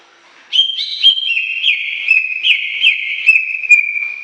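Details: Greater green leafbird in 'gacor' song: clear whistled notes begin abruptly, stepping gradually downward with short accented flicks about every half second, unbroken for several seconds.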